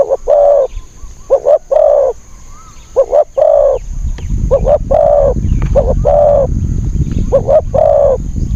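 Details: Spotted dove lured by a decoy, wild bird with a small high voice: clipped coo-coo then a long coo, repeated about five times, while broad low rumbling noise swells in the second half and a faint rising whistle appears.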